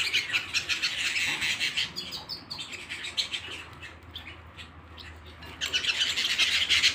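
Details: Singing canary at home: fast chirping trills that fade to quieter, sparse notes midway, then return as a loud, rapid rattle at the end.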